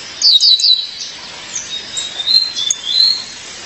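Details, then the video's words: Female Violaceous Euphonia calling her mate: high, thin chirps in quick clusters, a bright two- or three-note burst at the start followed by softer scattered tweets. "Fêmea de Guriatã, chamado seu parceiro."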